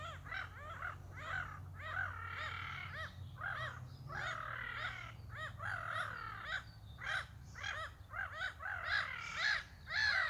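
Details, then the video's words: A group of gulls calling together on 27 May 2023: rapid, overlapping yelping squawks, nearly two notes a second, rising and falling in ragged bursts, with a low hum in the background. "Dialogue of seagulls!"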